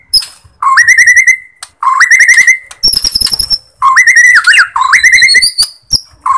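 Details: Bornean white-rumped shama song played as a lure to excite other shamas: clear whistled notes sliding upward into long quavering tones, several phrases separated by brief pauses, interspersed with high thin whistles and clicking notes.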